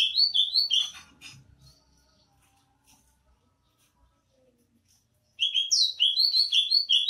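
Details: ['Greater green leafbird, Banyuwangi variety, sings lively slurred whistled phrases, falls silent for several seconds amid faint low rustling, then bursts back into a fast, bright warbling sequence.']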